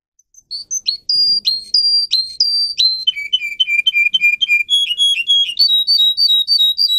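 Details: Song of a Russian canary bred for singing, used to train other canaries: a series of repeated high whistled notes in short runs, each run on its own pitch, stepping from high to lower and back up.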